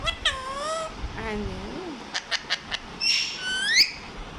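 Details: Pet parrot at home, vocalizing around breakfast time while its owner talks to it and asks it to dance; harmonic whistled calls with rising and falling sweeps, a run of short clicks, then sharp upward squeaks.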